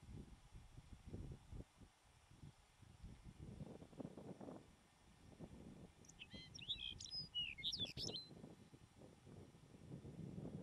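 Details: Lapland Longspur singing in the Filefjellet mountain highlands of Norway in the first week of July, one quick, jingling burst of high tinkling notes lasting about three seconds, over steady gusting wind.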